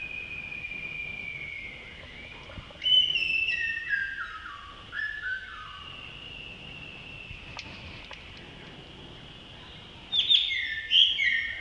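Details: Male blue-throated blue flycatcher in Sikkim, India, during May at Tashiding: soft whistled warbling phrases with falling slurs, a long pause, then another bright high burst near the end.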